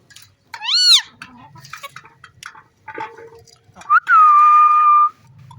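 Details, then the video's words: Pet green parrot at play with its owner, mimicking sounds: a loud harsh arched squawk, quieter chatter and clicks, then a long flat whistle that dips sharply at the onset, with faint handling noise. "Beautiful Green Parrot Playing & Making Stunning Sounds"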